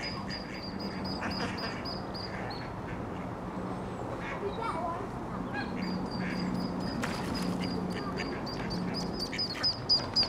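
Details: Squeaking ducklings trailing their mother along the River Thames at Iffley Lock, Oxford: a long run of thin, high, even peeps, several per second, with some clicks and a steady low background rumble.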